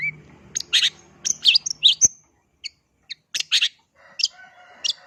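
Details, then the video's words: Long-tailed shrike in full song: scratchy, buzzy bursts and high sharp chips in rapid clusters, a short gap with isolated ticks, then further grating bursts. "cendet mana yg gak oleng jika di adu dengan cendet ini"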